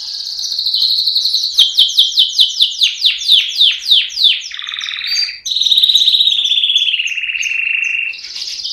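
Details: Canary song opening with a loud series of rhythmic descending sweeps, about a dozen in a row, followed by a steady buzzy trill and a lower rolling phrase.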